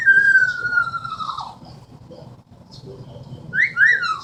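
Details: Pet Amazon parrot indoors giving a long, slowly falling whistled glide like a falling bomb noise, then after a pause a two-part rising-falling wolf whistle, with low room hum.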